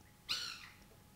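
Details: A White Woodpecker eating banana gives one harsh, rasping note lasting under half a second, high-pitched and slightly falling, against an otherwise quiet background.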